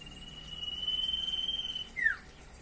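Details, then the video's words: Vigorous singing from a common iora (sirtu or cipoh): a sustained level whistle lasting over a second, followed by a loud, quick descending slur. "burung sirtu/cipoh gacor variasi"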